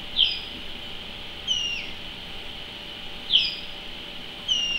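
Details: Common linnet giving short sharp notes, each a quick high chip followed by a brief descending whistle, four calls spaced roughly every second and a half over a steady low hum.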